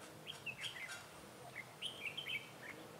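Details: Red-whiskered bulbul decoy singing in a trap to attract rival bulbuls, 28 February 2018: a rapid string of sharp, chirpy warbled notes, bright and slightly slurred, in two quick bursts over light background hiss.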